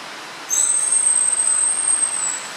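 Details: Japanese waxwing call, recorded 28 February 2014: one thin, very high, drawn-out trilling note holding an even pitch for about two seconds over faint background hiss.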